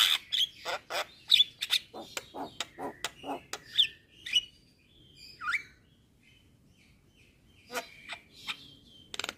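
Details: Jalak kebo, or Javan myna, in vigorous gacor song used as masteran to train songbirds: rapid clicking bursts, then squeaky whistles and a swooping slurred note, fading into sparse clicks and a thin whistle.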